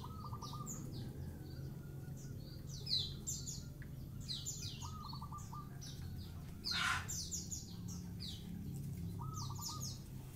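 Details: A wild zebra dove calling from the top of a house gives soft, stuttering rolled coos about every four to five seconds, amid busy high chirping from other birds and a steady low rumble.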